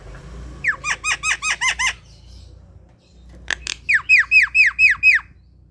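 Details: Javan myna (jalak kebo) singing in full voice at home in the morning: two runs of six or seven quick, falling, hooked squawky notes separated by a brief pause and a sharp click, over a faint low hum.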